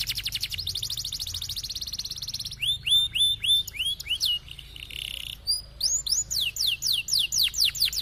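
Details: Canary singing in a high-low style, used to provoke silent canaries into rolling song: a rapid high trill, then a series of hooked, down-slurred whistles, a brief buzzy note, and more swooping phrases.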